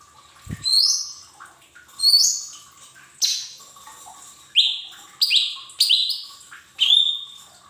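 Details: Lure song of a Lesser green leafbird for untrained caged birds: sharp whistled notes that sweep downward, coming faster toward the end, with one soft knock near the start and a faint hum.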